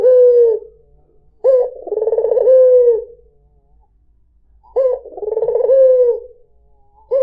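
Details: White dove (puter putih) calling to draw in other birds: two separate long, purring coos with a three-second quiet gap between them, each opened by a short rising note, plus a third just beginning.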